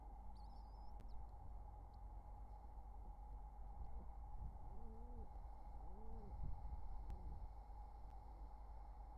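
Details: Wild pigeon pair courting near their nestlings, summer 2023: two low, arched, hollow coos in the middle of the clip, with fainter murmurs around them and a steady electrical hum throughout.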